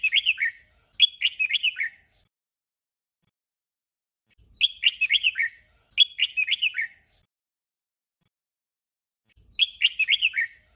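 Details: Red-whiskered bulbul singing a short, simple doubled song: bright, bouncy whistled phrases of four or five quick notes, given in back-to-back pairs, with a phrase cluster about every four to five seconds and silence between.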